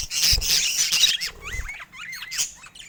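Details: A budgie's harsh scratchy burst gives way to a run of clear arched chirps, each rising then falling, repeated about five times in quick succession.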